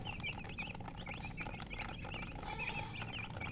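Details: Chickens chirping, reported as colored hens, with a run of short, high, rising peeps from several birds, somewhat muffled by broadband rustling and a low background rumble.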